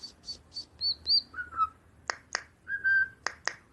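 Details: Robot-like bird song mixing three quick high chirps, a pair of bright high whistles, lower sliding whistled notes, scattered sharp mechanical clicks and a long steady whistle, all in a quiet room.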